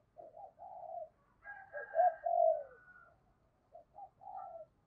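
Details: Spotted dove coo, 'giọng thổ' style, for stimulating wild doves to reply: quieter, slightly reverberant low hollow coos with a drawn middle note, accompanied by a faint higher overtone-like hum and soft background rumble.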